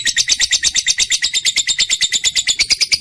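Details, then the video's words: Trained lovebird, recorded to coax lazy pet birds into singing, delivers a fast, continuous chattering trill of shrill buzzy notes, roughly nine per second, slightly rising in pitch near the end. "lovebird mp3 cocok buat pancingan burung kesayangan"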